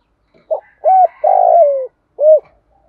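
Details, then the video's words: Spotted dove cooing in the thổ and thúc voice styles with calling coos, played to train wild-caught decoy birds that coo too little. Mellow low hooting notes: a short note, a rounded coo, then a long wavering coo that slides down, ending in one short coo. "Tiếng chim cu gáy giọng thổ, giọng thúc + gáy gọi rất chuẩn để tập những con bổi lười gáy"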